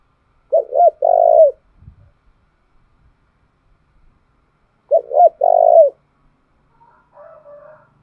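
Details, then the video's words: Spotted dove lure song for exciting wild doves: two three-part cooing phrases about four seconds apart, each two short notes and a long throaty coo. A faint, weaker dove-like cooing follows near the end. "tiếng cu gáy thúc bổi căng lửa và gáy goi bao sung, Tiếng cu gáy mồi chuẩn"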